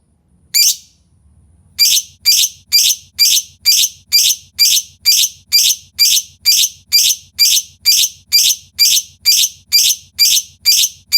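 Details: Lovebird calls meant to lure other lovebirds into singing: one shrill chirp, a short gap, then a steady train of piercing high chirps repeated about twice a second until the end.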